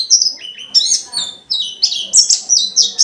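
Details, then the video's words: Lively white-eye song meant to trigger other white-eyes to respond; varied jumbled phrase of high twittering notes, some dropping lower, delivered in quick bursts with short gaps. "Burung pleci dakun gacor banget,ngalas rapet nyambung isian banyak"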